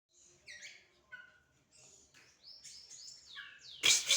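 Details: Oriental magpie-robin in a singing match with a second bird; rapid varied whistled notes, slurred rising and falling phrases and short chirps, ending in a loud harsh burst.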